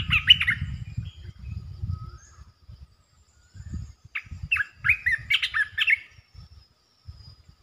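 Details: The resident red-eyed bulbul in its territory calls while displaying. A brief chattering note is followed by a run of quick, gurgling, warbled phrases. Low rumbling and knocking noises are heard at the start and between phrases.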